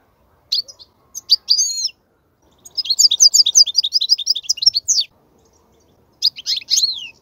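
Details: European goldfinch song used for teaching young goldfinches: bursts of high twittering, buzzy and tinkling notes, with a dense run of rapid chirps in the middle and short gaps of silence between phrases.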